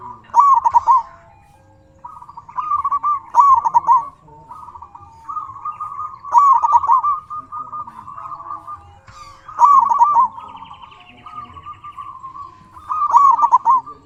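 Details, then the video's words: Zebra dove, local bird in full song, played to excite other doves into answering: repeated bright trilled phrases every three seconds or so, linked by a level purring coo line. "Suara burung perkutut sangat istimewa 100% auto nyaut"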